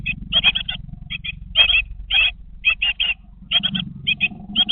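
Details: Inside a nest box, 20-day-old great tit chicks call in scattered buzzy, chattering bursts of two to four notes, with a low murmur beneath and a brief faint tone near the end.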